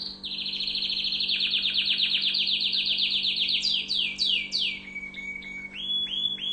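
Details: Tunisian orange canary singing: a long rapid buzzy trill of fast repeated notes, then high downward-sweeping whistles and a few short level whistled notes, over a low steady hum.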